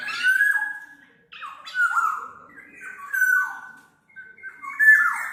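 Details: Fluty, whistled song of a black-naped oriole, intended for luring or training birds: short slurred phrases, each dropping in pitch, repeated about every second.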